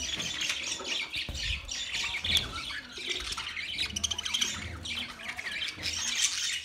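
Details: Several budgerigars on 13 March 2024 keep up busy, scratchy warbling with sharp chirps, broken by occasional low knocks or handling sounds.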